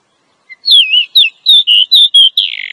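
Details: Female Oriental magpie-robin calling to lure a male, used for trapping males in the forest: a rising note, then a run of clear whistled notes sliding and wavering around the same pitch, ending in a harsher buzzy note.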